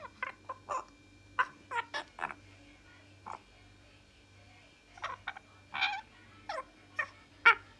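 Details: A male pet francolin gives short, harsh, scratchy notes in irregular clusters over about eight seconds, against a low steady mechanical hum.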